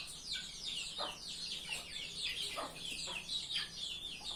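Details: Chickens: a dense chorus of high, thin peeping chirps running throughout, with a few soft lower clucks underneath.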